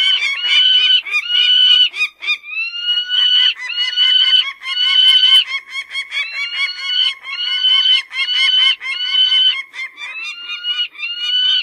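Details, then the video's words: A peregrine falcon gives harsh, nasal, wailing notes in quick runs, some rising at the end, continuing without pause for about twelve seconds. "صوت صقر الشاهين"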